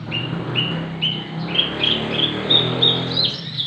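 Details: Six-month-old Javan bush lark in full, energetic song, kept as a tutor or to prompt other birds to sing: a series of short whistled notes, each sliding slightly upward, steadily climbing in pitch across the phrase, over a faint low hum.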